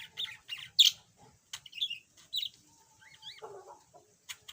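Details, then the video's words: Yellow budgerigar, a pet bird said to have been silent before and now beginning to chatter a little, giving a run of short scratchy chirps and warbled notes, some squeaky and rising, others lower and harsh. "Kicau Burung Parkit"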